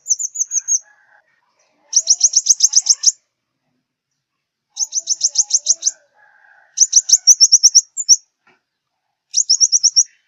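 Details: Five-colour sunbird from southern Vietnam, its song played to lure birds into glue traps: bursts of rapid, high, sharp chip notes in quick trills, separated by pauses, with faint softer notes in between.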